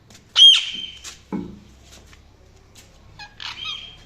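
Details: An Indian ringneck parakeet gives a loud, piercing squawk, then a lower rasping note, and after a pause a quieter chattering screech.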